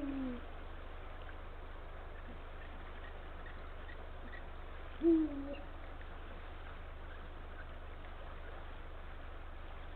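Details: Male Eurasian eagle-owl on the northern coast of Estonia, 17 February 2023, late afternoon, calling to his mate near the nest: deep short hoots at the start and midway, long silent gaps, steady low hum underneath.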